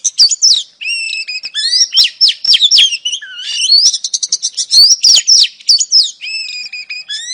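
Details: Oriental magpie-robin female calling to attract a male: varied whistled phrases, a quick rattling series of short notes, and repeated level and falling whistles at a lively pace.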